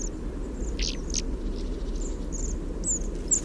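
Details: Bohemian waxwings (Bombycilla garrulus) in a flock resting after eating rowan berries, taped close with a parabolic microphone: faint, high squeaky notes and brief thin trills, audible only up close, scattered irregularly over a low rumble.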